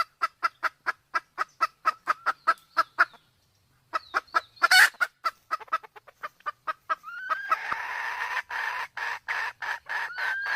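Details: Sumatran red junglefowl, male and female with the female in heat, recorded as a clear lure for hunting: a rapid run of evenly spaced clucks, a short pause, more clucks, then a harsh rising call over a noisy, hissing background.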